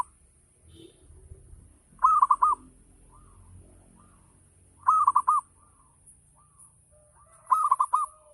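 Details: Local zebra dove in full ngayer song, played to prompt other doves to sing; three short bursts of rapid rolling coos about every three seconds, with softer single coos between, over low rumbling background and a high hiss.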